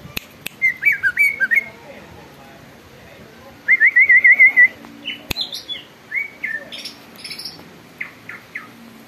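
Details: Greater green leafbird singing persistently, its song said to set other birds singing and agitated: short whistled phrases near the same pitch, a quick run of rapid looping notes midway, then scattered higher sharp notes.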